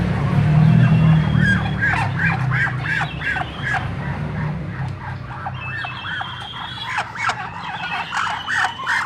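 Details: Duck calling with a run of short, nasal quacks repeated about three times a second, in steady bursts, over a constant low hum in the background.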